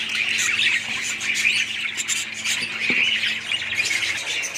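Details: A colony of budgerigars chattering together: dense overlapping warbles, chirps and squawks forming a continuous high bright chorus with no pauses.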